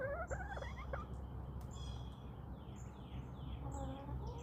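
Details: Backyard chickens roaming outdoors in a calm countryside setting; a few quick, rising harmonic calls in the first second, then quiet, with thin high chirps from wild birds and a steady low background hum.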